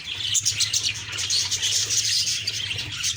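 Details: Budgerigar flock chatter in the morning, quick sharp chirps and squeaky warbling piled together, with a steady low hum underneath.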